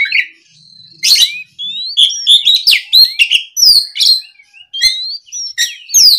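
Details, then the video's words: Oriental magpie-robin singing in the loud, persistent gacor ngeplong style, used to provoke a rival into replying: a rich run of bright whistled notes, rising slurs and sharp chirps, with short pauses between phrases. "MEMANCING KACER LAWAN AGAR LEKAS BUNYI NYAUT & GACOR! SUARA BURUNG KACER GACOR NGEPLONG !"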